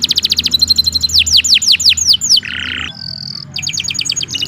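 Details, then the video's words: Lively canary song used as a tutor for other birds: quick repeated chips give way to descending whistled sweeps, then a low steady buzzy note and a thin high whistle, ending in rapid trills. "11 Suara Burung Kenari II GACOR PANJANG Cocok untuk Masteran"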